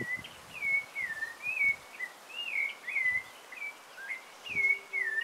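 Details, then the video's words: Rufous-bellied thrush at daybreak pouring out continuous melodic whistles, short curving phrases repeated roughly twice a second without pause, with faint low thumps. "Canto del Zorzal - Canto do Sabiá Laranjeira - Z. Colorado (Turdus Rufiventris)"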